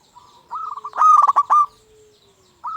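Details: Local zebra dove singing as a lure to make other zebra doves sing: a loud burst of rapid staccato coos with harsh overtones, framed by softer, even, trilled cooing before and after.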